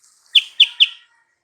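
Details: Sooty-headed bulbul lure call for provoking a rival to reply: three loud, clear, sharp notes in quick succession, then silence.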